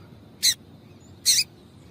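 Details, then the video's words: Two brief, harsh chip notes from a female double-collared seedeater, about 0.8 seconds apart, sounded to excite males into song, with a thin steady whine in the background. "Piado de Fêmea de Coleiro para Esquentar Coleiro"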